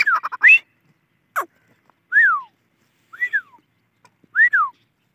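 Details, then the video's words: Shrill whistles from a grey francolin, known locally as Dakhni teetar. A rapid stuttering series opens, then three clear arched notes rise and fall, repeated about once a second. "Teetar ki Boli | Teetar ki Awaj | Dakhni Teetar Ki Awaz"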